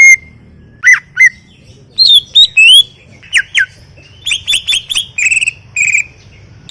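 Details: Greater green leafbird singing a varied phrase of clear whistles, slurred upward notes and sharp chirps, spaced irregularly over a faint low hum.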